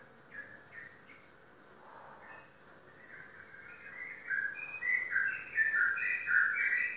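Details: Indonesian contest sooty-headed bulbul, a repeat champion, starts with a few soft whistles and then breaks into loud, fast, rising and falling whistled notes.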